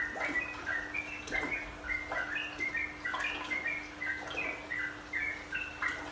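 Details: Sooty-headed bulbul (trucukan) in a recording used as calming therapy so the bird settles and sings continuously. Lively chirped, warbling phrases of short notes repeat about every half second over a steady low hum and faint background noise.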